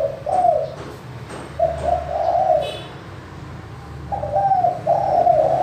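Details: Spotted dove calling in the clear manggung style used as a lure for doves that are slow to call: two sets of throaty mid-pitched coos, each of several linked notes, separated by about a second of near silence.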